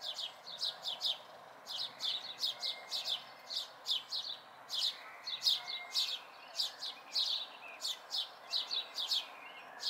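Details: House sparrow fledglings, local birds, May 2020: a near-continuous stream of some thirty bright falling chirps over ten seconds, often in twos and threes, with a faint background hiss.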